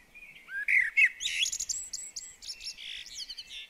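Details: Common blackbird singing while visiting a garden bird table in the UK: varied fluting and warbling phrases, rising and falling whistles with rapid high twittering flourishes, clear and dominant.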